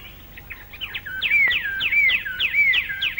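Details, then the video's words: Plain babbler in Malayan rainforest, recorded late 1950s–early 1960s, giving its more forceful later-in-the-day song: rapid, high swooping whistles, about three each second, with chattering notes mixed in over a faint background hiss. "later in the day the plain babler goes over to a more forceful type of song interspersed with chattering notes [Music] [Music] o [Music] [Music] [Music] I d I"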